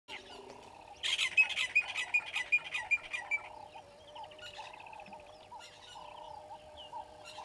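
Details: Egyptian goose family at Gowrie dam waterhole, Djuma Game Reserve, Sabi Sand Wildtuin, South Africa, 25 December 2021, 09:18, live camera: a sudden run of loud, harsh rasping bursts, roughly three per second, over softer repeated whistled notes from other birds.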